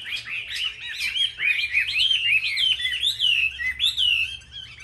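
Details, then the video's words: Chinese hwamei, a caged market bird, in competitive singing: loud clear whistled phrases that loop up and down, repeated slurred notes in fast succession, rich and melodic with little pause. "Họa mi hót đấu"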